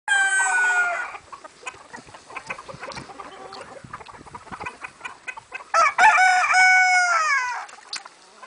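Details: Rooster crowing in a yard among hens and other roosters; one loud harmonic crow opens the recording, a second drawn-out crow follows near the end, with scattered clucks and scratching noises in between.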